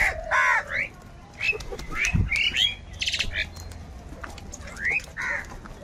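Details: Huge numbers of crows fighting for food, calling together: harsh, hoarse cawing cries overlapping in quick bursts, with wingbeats, a thump and other birds chirping in the background.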